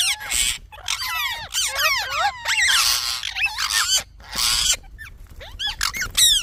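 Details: A talking parrot chirps in a dense stream of rapid downward-sweeping whistles overlapping harsh raspy bursts, nearly continuous with short gaps.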